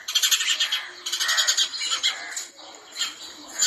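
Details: Rapid, scratchy chirping from a female house sparrow, bursts of quick notes running together in two main spells, then fading into a few scattered chirps.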